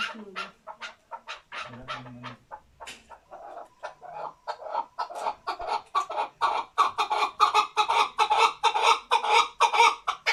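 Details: Male chukar partridge kept as a hunting bird begins with scattered clucks, then speeds into a loud, rhythmic chukking series that grows denser and stronger toward the end.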